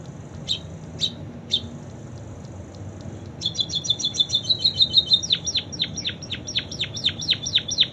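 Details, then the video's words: ['Munia giving canary song imitations. Three spaced single chips precede a dense, accelerating trill of high notes that turns into rhythmic downslurred whistles.'] "Burung PIPIT Full isian KENARI"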